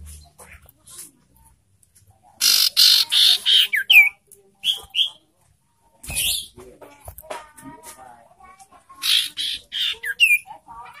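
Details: Ashy tailorbird lure sound meant to provoke and excite breeding-condition birds: bouts of rapid rasping buzzes alternating with short bright notes and scratchy chatter, with pauses between bouts.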